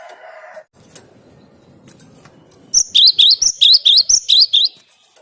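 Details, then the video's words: Song of the cinereous tit, a luring sound: after a quiet, murmuring stretch, a clear series of about nine high, snappy two-note phrases in quick succession. "Suara Gelatik Batu ini Ampuh buat Pikat"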